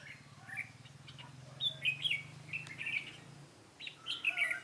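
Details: Trapping decoy red-whiskered bulbul, 13 March 2017, delivering its fighting song: lively, chirpy warbles with clear whistled notes in two bursts, over a low droning hum that fades midway.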